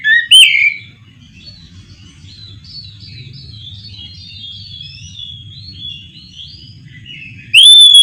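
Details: Oriental magpie-robin at night giving a loud rising whistle, then a long run of soft high twittering notes, ending in another strong clear whistle.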